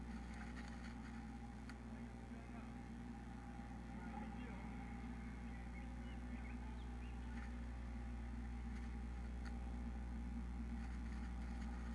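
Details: A low engine rumble, like an idling vehicle, fills the whole recording, with no clear animal calls above it.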